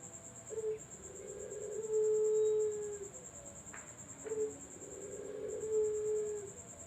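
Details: Barbary dove used as a lure for zebra doves. Two low coos, each a short clipped note followed by a long, level, purring coo that sags at the end. A faint click falls between them and a thin high whine runs throughout.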